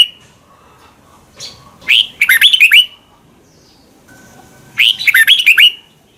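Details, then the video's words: Red-whiskered bulbul from Thailand, song played so young birds learn to copy: a short lead note, then a rapid phrase of bright slurred whistles, repeated after about three seconds of near silence. "นกกรงหัวจุก | Thailand bird, 30 นาทีทุกเช้า เพื่อให้นกเรียนรู้ที่จะพูดได้อย่างรวดเร็วและหนักแน่น"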